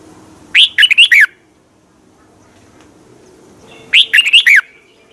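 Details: Red-whiskered bulbul from Thailand, song used for training or to excite other birds: two lively phrases of a rising whistle and three or four bouncing notes, about three seconds apart, with a faint low hum between.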